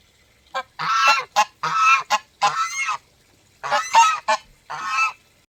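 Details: Geese heard up close giving loud, resonant honks in rapid bursts, a run of harsh nasal blasts, a pause, then more; the call serves as an alert or as communication among them.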